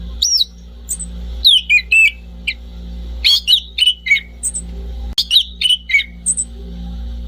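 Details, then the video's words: Orange-banded thrush giving short separated song phrases, each a few quick whistled and squeaky notes falling in pitch, with gaps of about a second; a low hum is steady in the background. "kicau burung anis cendana"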